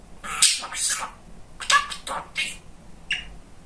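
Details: Pet male budgerigar, very chatty, indoors, talking in short bursts of raspy, high, speech-like chatter with brief pauses between syllable groups.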